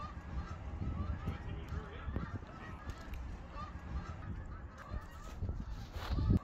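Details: Canada geese migrating in a long flying V and I formation give faint, scattered honks over a steady low rumble of wind or background noise.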